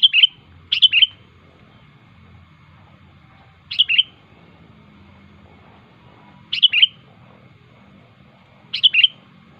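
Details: Sooty-headed bulbul in the wild, singing sharply to call rivals: short bubbly, chirpy phrases of two or three quick notes, repeated every two to three seconds with quiet gaps between.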